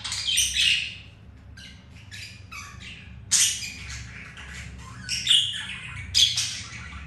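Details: Pet budgies mating indoors after a rejection by a white grey female; loud squawk opening, then scattered scratchy chirps and warbles with short gaps.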